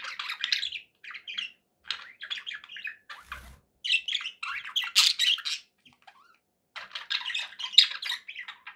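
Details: Pet budgerigars in a happy mood chirp and warble indoors in short, spaced clusters of high scratchy notes and squeaks, with a quiet pause and a single soft knock near the middle.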